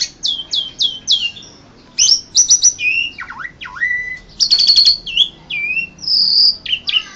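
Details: Asian pied starling winning a 2014 Indonesian bird song competition: clipped downslurred whistles, deep swooping notes falling then rising, and high sustained whistles between buzzy bursts.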